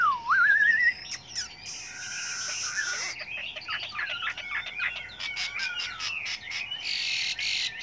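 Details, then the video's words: Chinese hwamei singing a varied, many-voiced song meant for training other hwameis: a wavering rising whistle opens, then a mix of slurred whistles and quick notes over a steady background hiss with bursts of broadband noise. "Luyện chú chim họa mi hót hay"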